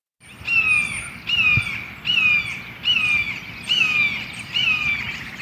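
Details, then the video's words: Red-shouldered Hawk seen atop a sycamore on a chilly morning, after blue jays began mobbing, screams a loud, ringing, down-slurred 'kee-ah' six times, roughly once a second, over a low rumble of wind; it seemed to call whenever the wind blew. "I heard a red-shouldered hawk the other day and got some audio of its call."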